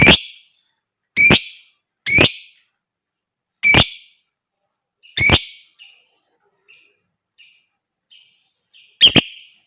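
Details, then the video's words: Lovebird voice used as a prompt for other singing birds: harsh, high screeches at irregular intervals, then a stretch of faint soft chips before a last loud call. "TERAPI JITU BUAT LOVEBIRD,Ngekek dan Gacor Lanjut burung lain dengar ikut gacor dan ngekek"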